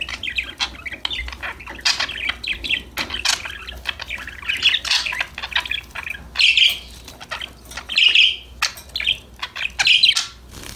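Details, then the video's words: Several budgies chattering together while playing: continuous scratchy warbling, broken by louder, clearer chirps near the end of the clip, over a faint low room hum. "Your #budgies will start chirping, talking, playing after listening these #parrot #bird sound"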